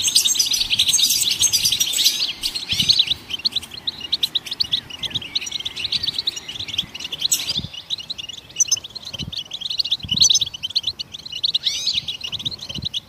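Goldfinch song: a continuous, bright, tinkling twitter of fast high chirps and trills, with several birds possibly singing together, and soft low thumps now and then.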